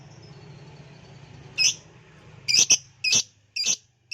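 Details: Lovebird lure sound: a few loud, shrill high chirps, some in quick doubles, arriving over a steady low hum.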